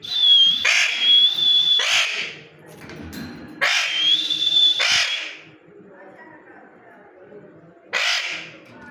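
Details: A parrot alternates high sustained whistles with harsh, screechy squawks, about five loud bursts in all. Quieter stretches between them carry faint low murmuring.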